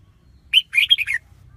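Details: Single brief red-whiskered bulbul phrase: a sharp opening note followed by a tumbling run of four bright warbled notes over a faint low hum.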